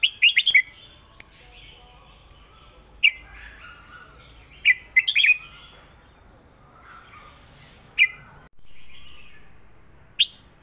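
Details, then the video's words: Red-whiskered bulbul with 'rik' southern master song: a fast trio of bubbly notes, isolated sharp chirps, another quick warbled group near the middle, and single notes later over quiet background. "นกเสียงทอง ร้องริก/เพลงใต้แม่บทชัดๆ"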